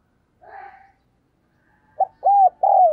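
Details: Spotted dove used as a decoy to draw wild doves, cooing energetically. A faint breathy note is followed by three clear, mellow, arched coos rising and falling, the last one longest.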